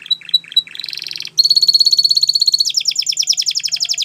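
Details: Gloster canary giving a few soft chips, a brief buzzy burst, then a long steady whirring trill changing into a faster, pulsing rattle.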